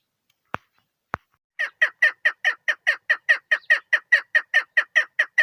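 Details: Female chukar partridge, hunting-related recording: two sharp clicks, then a rhythmic run of rasping chuck notes repeated roughly two and a half times per second.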